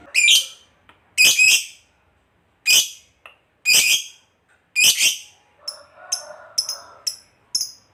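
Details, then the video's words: Fighter lovebird, used to prompt other lovebirds to answer with ngetik and ngekek, making grating raspy squawks, some doubled, then a run of short bright chirps in quick succession with a soft rustle in the middle. "SUARA BURUNG LOVEBIRD NGEKEK PANJANG"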